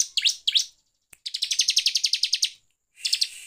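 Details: Lure recording of a Bar-winged prinia for provoking other birds: two sweeping chirps, then a fast, even trill of some fifteen high notes, ending in a buzzy stuttered phrase.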